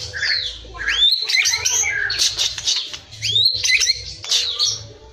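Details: Cilacap white-rumped shama pouring out a dense, high song of sweeping whistles, sharp upslurs and scratchy notes, rich and varied, in two main bursts separated by a brief lull, with a low hum underneath.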